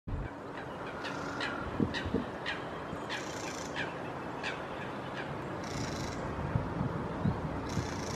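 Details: Mistle thrush defending rowan berries at East Park, Hull, on 14 November 2016, giving harsh, dry rattling bursts at irregular intervals over a steady background hum.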